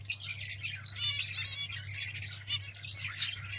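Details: Newly hatched zebra finch chicks in captivity give a continuous stream of high, squeaky chirps and buzzy calls over a steady low hum.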